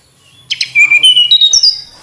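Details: Tledekan gunung flycatcher sings a short burst: two sharp introductory notes, then evenly pulsed whistles climbing stepwise in pitch, fading at the end.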